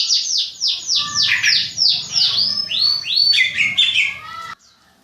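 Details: Contest songbird in training, singing against other songbirds to keep its nerve. It gives a fast run of high descending whistled sweeps, then varied slurred phrases, ending abruptly.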